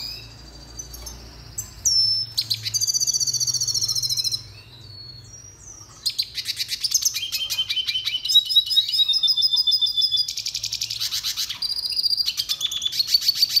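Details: Red siskin (Spinus cucullatus), a small endangered finch, singing a training song: long bursts of fast, dry, high trills alternating with buzzy warbled phrases and a few slurred whistles, with brief pauses between bursts.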